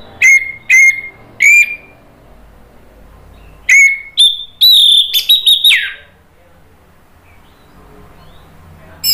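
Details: Loud whistled anis merah (orange-headed thrush) song, 'ngeplong gacor': three spaced mid-pitched whistles, a pause, then higher notes and a rippling trill ending in a downward slide, followed by quiet.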